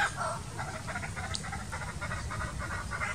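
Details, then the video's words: A young laughing kookaburra practising its call, sounding like a rusty saw, approaches an adult for a lesson: rapid, rhythmic chuckling of harsh notes, four or five a second, over a low background rumble. "Young Kookaburra learning call from adult"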